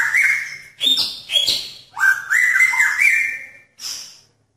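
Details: Male magpie-robin calling to attract a female in a pairing cage: a run of loud, rich whistled phrases, some steady and some sharply rising or falling, in about five bursts with short gaps.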